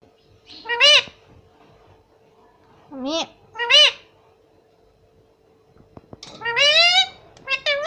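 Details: Pet parrot said to talk, with words such as mummy and papa, repeats loud arching voice-like calls in short groups a couple of seconds apart, over a faint steady room hum.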